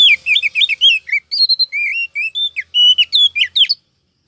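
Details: Female Oriental magpie-robin calling to rouse males and draw in wild birds for trapping: a continuous run of quick, varied whistled notes and chirps, some rising, some falling, ending abruptly after almost four seconds.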